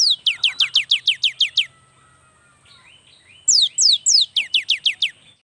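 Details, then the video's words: Young cinereous tit singing steadily, used to prompt lazy birds to sing: two bursts of about eight rapid, sharp, high notes, each sliding steeply downward, with a quiet gap of nearly two seconds between them. "inilah SUARA yang PALING DI SUKAI BURUNG GELATIK || semua Jenis GELATIK PASTI NYAUUT DAN GACOR"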